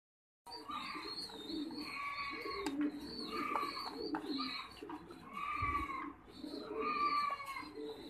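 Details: Trumpeter pigeons kept on a pigeon farm in Đắk Lắk, Vietnam, give a low, continuous rolling coo without pause, while brighter, thin chirping calls from other birds break in every second or two.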